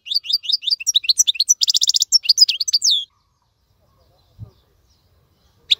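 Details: Young birds learn from this European goldfinch song: three seconds of quick bright chirps and a dense buzzy trill, followed by near silence with a faint thump and a last chirp at the end.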